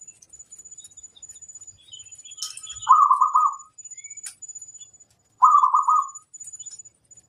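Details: Energetic song from a local zebra dove master bird: two clear purring, rolling coo phrases about two and a half seconds apart, with soft rhythmic ticking and a thin high whine behind.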